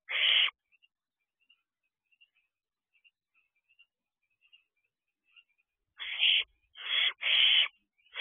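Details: Barn owl owlet outside its owl box on the evening of 16 June 2023, 8:22 pm: a harsh, hissing half-second screech, faint soft ticks, then three more rasping screeches close together near the end.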